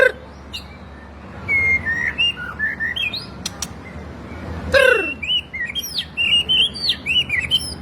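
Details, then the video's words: Varied song of a captive white-rumped shama kept for training other birds: rising and falling whistled notes, sharp clicks, then a fast run of bright looping whistles near the end. "macam macam suara murai batu bagus buat masteran biar murai kalian cepat gacor dor"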